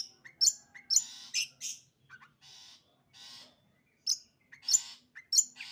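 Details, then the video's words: Sembur-style song of a long-tailed shrike: varied bursts of sharp high squeaks, chirps and harsh rasps, with softer buzzy notes in the middle, delivered in irregular quick phrases. "burung cendet sembur"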